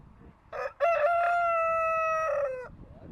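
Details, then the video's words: Rooster crowing: a short opening note, then a long sustained, slightly falling tone held for nearly two seconds, ending in a brief rough drop, with faint background noise. "cock making noise"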